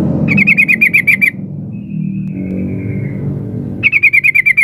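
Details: Female sooty-headed bulbul calling the male, used as a lure: two fast bursts of about ten sharp, slightly descending chattering notes, one early and one at the end, with a faint thin whistle and low rumbling background noise between them.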